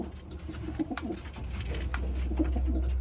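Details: A pigeon makes low, soft throaty grunts and purring coos in quick irregular bursts, with a steady low hum and a few faint clicks indoors, described as strange sounds in the throat. Finding: Pigeon.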